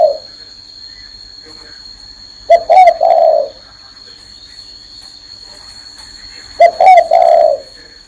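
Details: Spotted dove cooing while sitting on a hand: two full phrases about four seconds apart, short clipped notes running into a drawn-out soft coo, over a constant thin high-pitched whine.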